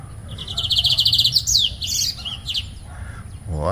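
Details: Wild male lined seedeater (bigodinho) singing near a nest about 3 to 4 m high, built with his mate, on a rainy day: a fast run of bright repeated chips followed by buzzy, tumbling notes, with a man's voice starting at the end.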